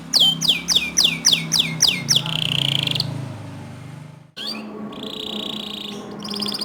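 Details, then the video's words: Canary training song meant to stimulate other canaries into singing: a quick run of about eight sharp, descending chirped notes, then a sustained buzzy trill, a brief break, and further high rattling trills over a low steady hum. "Masteran Kicau Kenari Untuk Memancing Kenari Lain Agar Ikut Gacor Dor"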